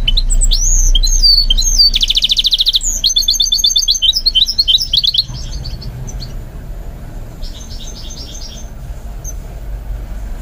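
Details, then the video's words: Goldfinch mule trained to sing delivers varied high whistles, a loud buzzy rattle and fast twittering trills for about five seconds, then falls mostly quiet apart from a brief distant chattering trill. "Training My GOLDFINCH Mule to Sing"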